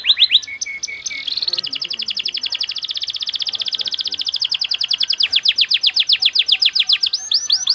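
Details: Canary song in the fast, tight 'cengkok speed rapat' style: after a few short whistles, a long rolling trill of very rapid, evenly spaced chirps runs for about six seconds.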